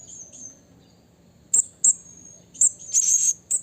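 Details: Blue-crowned hanging parrot in the wild calling to a rival; a few faint high notes, then sharp shrill chips and a buzzy, rasping chatter burst near the end.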